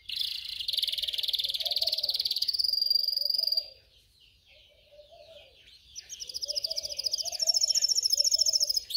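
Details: Canary singing for training: a long fast rolling trill for about three seconds, a pause, then another rapid, even roll growing louder, with low murmuring notes beneath.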